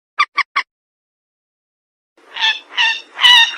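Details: Rail calls used as a lure for trapping and hunting: three quick dry clicks, a pause, then three loud nasal, harmonic squawks growing stronger at the end.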